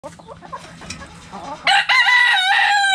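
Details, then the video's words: Backyard chickens, with a rooster crowing loudly from midway: a long harmonic, strained call with a brief break, following quieter scattered clucks and shuffling. "Chicken Sounds Noises Hens Clucking Roosters Crowing!"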